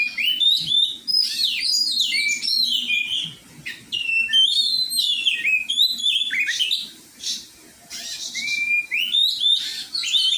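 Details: Oriental magpie-robin singing during song training, a varied run of loud whistled phrases, sweeping and warbled notes between two and eight kilohertz, with brief pauses and a faint low hum beneath.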